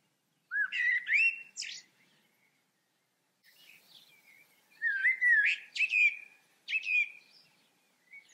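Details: Singing common blackbird delivers mellow, fluting, rising whistles capped by high squeaky flourishes, three phrases separated by brief pauses, with a faint soft twitter between them and no other clear sounds.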